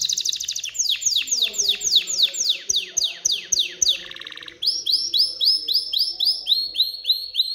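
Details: Excited male canary singing to stimulate females to mate and build a nest: rapid series of descending whistled sweeps, a fast buzzy rattling trill, then a run of bright upslurred notes repeated about twice a second.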